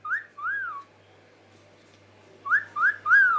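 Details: Green Indian ringneck parakeet kept as a pet, known for talking and dancing; two arched whistled notes, a pause, then three more rising-falling whistles in quick succession, indoors with the owner nearby.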